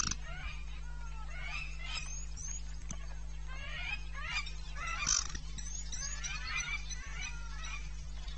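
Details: Nesting pair of blacksmith lapwings defending their nest from Chacma baboons at Pete's Pond, Mashatu Game Reserve, Botswana, on a morning of 31 December 2017, giving sharp, high, repeated notes in irregular bursts, about four per second, over a steady low hum.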